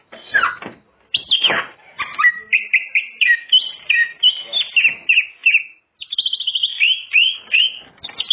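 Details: Greater green leafbird song with full mimicked repertoire, used as a lure for other birds: a dense run of varied whistled and chattering phrases, sweeping notes and fast trills, with a short pause near the middle.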